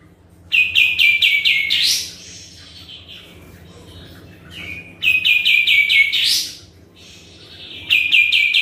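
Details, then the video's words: Sooty-headed bulbul singing actively, used as a lure for other birds: three bursts of fast descending chip notes ending in rising sweeps, separated by quiet stretches with soft background noise. "PANCINGAN KAPAS TEMBAK GACOR"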